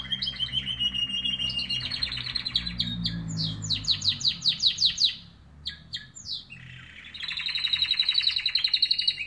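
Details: Morning song of canaries, with varied phrases: buzzy rolls, a series of rapid descending chips, a brief pause, then a bright rapid trill resuming, over a low hum.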